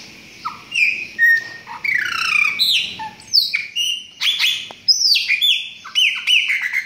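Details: Chopi blackbird song of bright liquid whistles, sharp descending slurs and short clicking notes, delivered in separated phrases with brief pauses between them.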